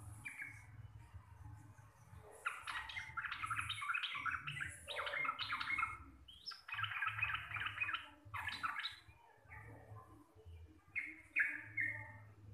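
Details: Chattering 'receh' song of a local Javanese sooty-headed bulbul, noted for its loud, clear voice. Irregular bursts of fast notes are broken by quieter gaps, with a few sliding notes near the end and a steady low hum underneath.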